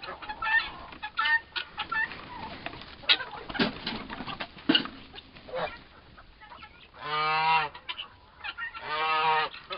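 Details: Scattered sharp clicks and short raspy notes from two four-month-old turkey toms fighting, then two drawn-out, strongly tonal, nasal calls near the end.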